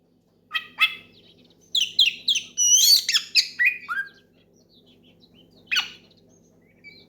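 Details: Oriental magpie-robin singing loudly to challenge a rival and draw other birds into song: a few sharp notes, then a fast series of descending whistled slurs and harsh chips, followed by a single late note.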